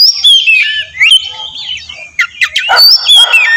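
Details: Oriental magpie-robin singing as a lure meant to make other birds answer, a rich run of clear slurred whistles mixed with harsh scratchy notes and quick chatter.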